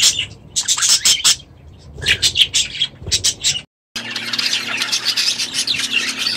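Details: Budgerigars in their aviary: separate sharp chirps and squeaks, a brief silent cut, then steady overlapping warbling chatter from several birds over a low hum.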